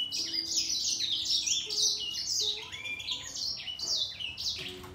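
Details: Grey singer finch and green singer in a singing fight. Lively, high, canary-like phrases of slurred downward whistles and rapid trills flow without pause, about two notes a second.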